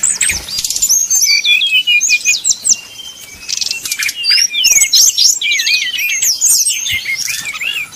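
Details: Brown-chested jungle flycatcher song used as a fast lure for rivals: bright looping whistles and quick twittered phrases, delivered in uneven bursts with short breaks.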